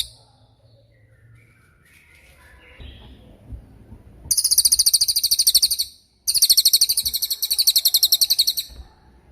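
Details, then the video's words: Cililin sound made as a long training recording (masteran) for songbirds, including young and moulting birds: after a quiet start, two loud, very high, rapidly pulsing trills of about two seconds each, split by a short silence. "MASTERAN CILILIN || TAJAM DURASI PANJANG"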